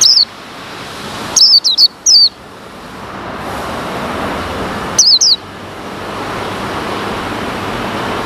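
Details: After removal of the cage cover, a male white-eye separated from its mate calls as wild white-eyes approach. One piercing downward chirp, a rapid run of three, and later a quick pair stand out over a rising background hiss.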